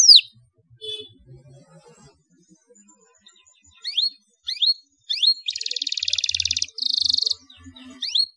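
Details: Canary song in the rolling 'ngeroll' style used to lure and train young canaries: scattered rising whistled notes, then two fast, dense buzzy rolls near the end, with quiet gaps between phrases.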